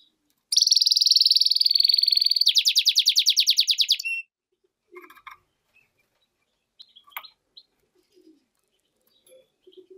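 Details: Singing hybrid of goldfinch and canary, with a high buzzing trill that switches midway to a rapid rattle of repeated crisp notes, then quiet scattered chips and clicks.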